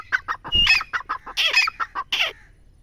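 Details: Grey francolin giving a quick run of harsh, clucking notes interspersed with a brief high whistle and a few louder, rasping bursts, with no other clear sounds.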